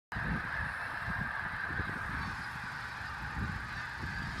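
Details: Migrating snow geese at sunset at Middle Creek Wildlife. A dense, continuous chorus of overlapping nasal honks from a large flock runs through the whole stretch, with a steady rumble underneath.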